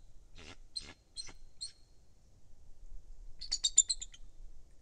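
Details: Bald eagle at a nest high in a loblolly pine near Kincaid Lake, Kisatchie National Forest, Louisiana, recorded 23 December 2023: four spaced high chittering notes, then a quick run of sharper piping notes near the end, against a quiet background.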